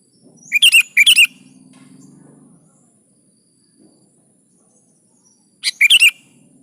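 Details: Sooty-headed bulbul (kutilang) in lively 'gacor' song, used to prompt caged birds to sing: bubbly, liquid whistled phrases of two quick bursts, a pause with faint low hum, then another bubbling phrase.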